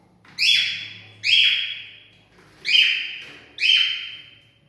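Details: Cockatiel sounds offered to stimulate mating: four loud, harsh, slightly rasping calls, each starting abruptly and fading, spaced about a second apart.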